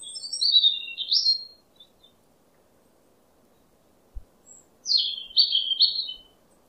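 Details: White-rumped shama lure song for prompting a stressed, silent bird to sing: two clear phrases of high sweeping whistles, each falling then leveling, separated by a pause of about three seconds, with one soft thump between.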